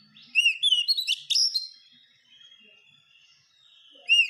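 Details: Kacer (Oriental magpie-robin) singing as a masteran model: a burst of arched whistles and sharp chirps, a long soft trailing whistle, then another loud arched whistle.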